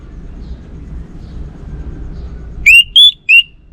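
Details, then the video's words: Orange-headed thrush giving one short phrase of three clear whistled notes, the middle one highest, after a stretch of low background rumble. "Sekali Dengar Burung ANIS MERAH Lansung Nyaut Gacor Tanpa Henti"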